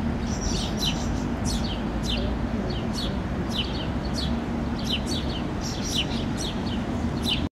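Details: On a Helsinki lawn in June 2013, house sparrow fledglings call while a parent feeds them, flicking their wings; a steady stream of short, high, falling chirps, sometimes in pairs, over a continuous low rumble.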